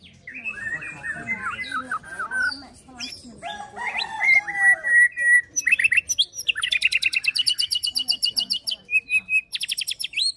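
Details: White-rumped shama (murai batu) singing 'pastol fighter' song to stir other shamas: warbling varied phrases and whistles, followed by a long rapid repeated trill of sharp notes about five per second.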